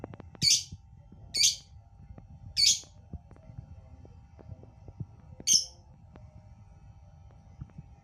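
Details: Lovebird uttering sharp, harsh, high squawks: three in quick succession, then a pause and a fourth, with soft clicks and low room noise between.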